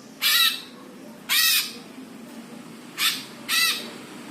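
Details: Greater green leafbird, tagged Jepara, singing a training song intended to provoke other birds: four separate harsh, scratchy squawks, each about a quarter second long, spaced irregularly.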